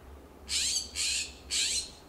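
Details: California scrub-jays calling loudly back and forth in a backyard in Pacific Grove, California, perched on a wooden fence, coast live oak and Monterey cypress; three harsh, raspy squawks about half a second apart, with a low hum underneath.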